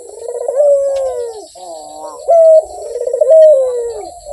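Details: Rhythmic Barbary dove cooing: a bubbling rolled phrase sliding down, a brief flat clear note, then the purring descent repeated, loud and near.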